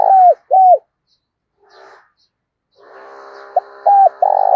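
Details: Spotted dove decoy bird with a thổ đồng style voice, cooing to stir other doves into calling: two short arched mid-pitched coos, a pause, then a steady droning hum behind a longer burst of coo notes.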